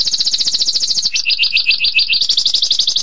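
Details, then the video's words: Singing canary, 'tembakan pedas' style: a shrill, rapid rolling trill that drops briefly into lower, coarser pulsed notes before rising again into a fast high trill. "Suara Kenari Tembakan Pedas Durasi Panjang"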